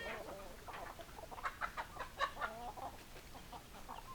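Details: Hens clucking in short, uneven bursts of mid-pitched notes, with several louder clucks clustered in the middle and quieter chatter around them.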